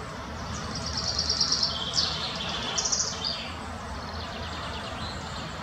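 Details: A Spotted flycatcher in the Munich Botanical Garden gives thin, high, quick-fire ticking notes in two short bursts, then a single sharp note, over a steady low background hum.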